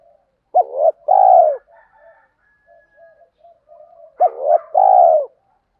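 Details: Spotted doves, male and female, coo to stir up birds in training. Two loud phrases, each a sharp note plus a long falling coo, about three and a half seconds apart, with soft low murmurs between.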